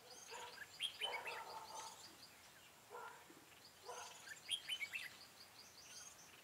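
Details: A decoy red-whiskered bulbul at a bird-trapping site, 4 February 2017. It gives two bursts of lively, slurred chirping phrases about three seconds apart, with short clear notes in between, over a soft hiss.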